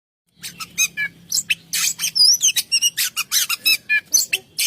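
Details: Oriental magpie-robin (kacer) in full, continuous 'ngerol' song with imitations: rapid bursts of high chirps, trills and whistled notes in quick succession, with a faint low steady hum underneath during the first half.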